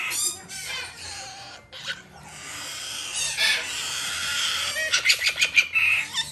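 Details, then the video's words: Major Mitchell's cockatoo chicks, one female and one male, bred in Japan, being hand-fed; harsh raspy begging calls run nearly continuously, then break into quick rhythmic pulsing bursts near the end. "クルマサカオウム 雛達へのさし餌"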